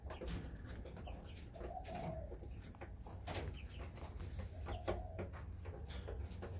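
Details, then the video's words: A paired spotted dove gives two soft, low, hollow coos about three seconds apart, over a steady low rumble with scattered clicks and knocks. "Spotted dove paired"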